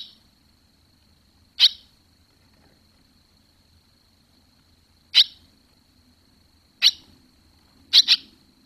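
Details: Barn swallows at the nest during the fledging of the young, July 2023; four isolated high chirps, the last a quick pair, separated by long silences, with a constant thin electronic tone running underneath.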